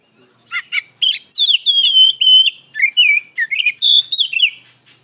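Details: Ngeplong-style song of an Oriental magpie-robin meant to draw answers from young untrained birds: a few sharp chips lead into a flowing chain of sweet slurred whistles and quick twittering notes.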